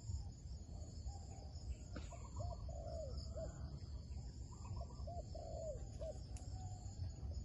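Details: Wild dove lured toward a trap, giving two phrases of cooing. Each phrase has short hooked notes ending in a drawn-out descending coo, about three seconds apart, over low background rumble and a faint high whine.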